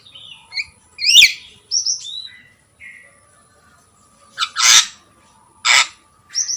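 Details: Javan myna in captivity mixing brief whistled slurs with two loud harsh rasping squawks, separated by short silences.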